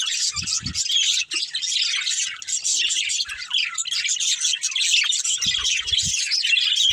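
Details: Several budgerigars playing and chirping as a family: lively overlapping squeaks, twitters and raspy squawks in a continuous stream, with low thumps near the start and end.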